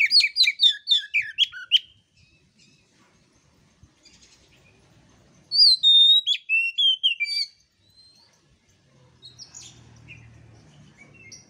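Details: Oriental magpie-robin as a master recording: a fast series of about eight sharp descending chirps, a long pause, then a bright varied phrase of falling whistles and trills, followed by faint scattered notes.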